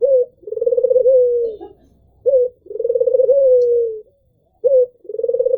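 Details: Barbary dove, an albino bird, cooing in a regular pattern: a brief note leading into a drawn-out vibrating coo that sags at the end, repeated about every two seconds.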